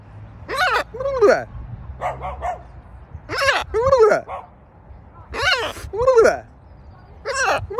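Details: Pet macaw copying its owner, giving repeated harsh, throaty vocal bursts with wavering, speech-like tones, about six phrases spaced roughly a second apart, alongside Korean speech.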